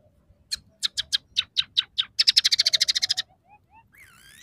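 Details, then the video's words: Scaly-breasted munia (emprit peking) in active song with fill-ins of house sparrow, red siskin and canary: a run of about eight dry chirps, then a fast buzzy trill, ending in a few soft rising whistles. "suara burung emprit peking gacor dengan tiga variasi lagu"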